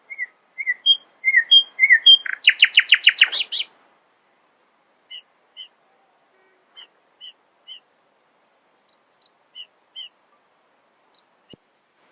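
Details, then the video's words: Early-morning nightingale song opening with short repeated whistled notes, bursting into a loud rapid buzzy rattle, then spaced soft double notes and scattered high chips in quiet surroundings. "Nightingale screamed in the early morning, proudly displaying her poetic singing voice."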